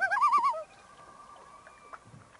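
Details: Common Loon on a remote Canadian lake about 150 km into the forest from the nearest town, a shy bird seen during a fishing trip; one loud quavering, wavering call lasting about half a second, then quiet lake air.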